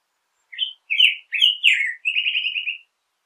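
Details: A black-headed grosbeak sings a short phrase of slurred whistles, ending in a rapid buzzy trill held for almost a second.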